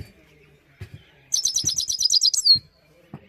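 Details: Himalayan goldfinch delivering a rapid, high, liquid twitter of repeated notes ending with a downward-slurred whistle, with soft low knocks and thuds around it.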